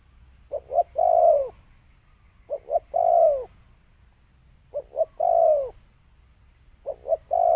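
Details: Steady thổ sấm cooing of a spotted dove, 2020: four phrases about every two seconds, each two quick hollow notes and a long sliding low coo; thin constant whine in the background.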